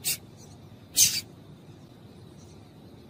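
A female Double-collared Seedeater gives three short, sharp, high chip notes about a second apart over a faint, steady background hiss.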